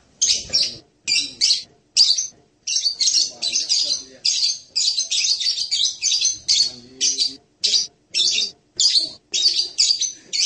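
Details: Serindit, the blue-crowned hanging parrot, delivering a steady run of shrill, buzzy high chirps in short bursts with brief gaps, some notes doubled, continuing throughout.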